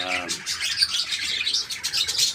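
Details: Parakeets in a small kept colony chattering together, a dense continuous wash of high scratchy chirps and squeaks from several birds, with a faint low voice-like sound at the very start.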